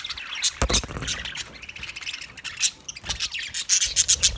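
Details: Budgerigars chattering fast with a rapid run of rasping chirps and squeaky notes, several each second, with scratchy rubbing sounds mixed in.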